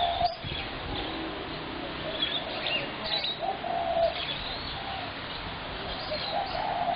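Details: Spotted dove on 21 January 2017 giving short low coos at intervals of a few seconds, with sharp chirps of other birds and steady background noise throughout.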